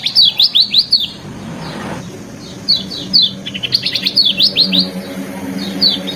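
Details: A lemon-bellied white-eye gives a varied training song: rapid groups of sharp descending chirps, a gap near two seconds, then denser, faster twittering runs, with a steady low hum behind.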